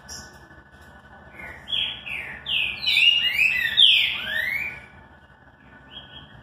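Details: Classic song of a green-winged saltator: a rich, tumbling phrase of overlapping whistles with swooping rises and falls, building to a loud middle and fading out, followed by a faint whistle near the end.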